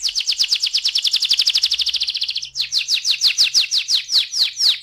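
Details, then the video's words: Canary singing in the rolling 'ngeroll' style used as a lure to prompt singing: a very fast, even trill of high falling notes that breaks midway into slower, broader descending sweeps. "PANCINGAN TERCEPAT dan SUKSES BIKIN KENARI GACOR NGEROLL"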